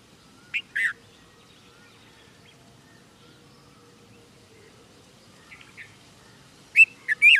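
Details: Red-vented bulbul in India calling: two short sharp chirps early on, a long quiet gap with faint notes, then a loud closing burst of three quick whistled chirps.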